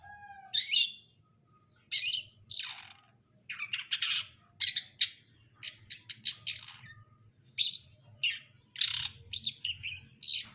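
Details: Long-tailed shrike in full song, a busy run of harsh, scratchy chirps and rapid squeaky notes, delivered in bursts with brief pauses and a steady quiet hum in the background.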